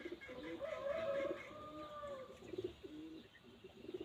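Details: Red junglefowl giving a long, wavering tonal call, followed by quick doubled clucking notes repeated in short bursts against soft background noise.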